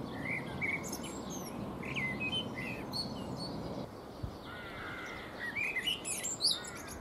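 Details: A Eurasian blackbird preens and sings on a fruit tree, delivering a busy string of fluted whistles and high chattering twitters, pausing briefly, then resuming with louder warbled phrases, over a light noisy background.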